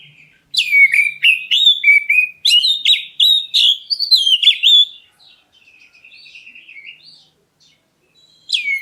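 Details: Black-breasted oriental magpie-robin sings a lure call meant to make other birds reply: a fast run of loud, clear whistles and downward slurs, then softer warbling trills fading out before one more sharp note.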